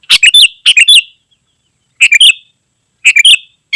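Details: Sooty-headed bulbul in dense, energetic song, used to call wild birds in the forest and to tutor caged birds at home: short bright chirping phrases with a clear whistled note, bursts roughly every second, separated by silence.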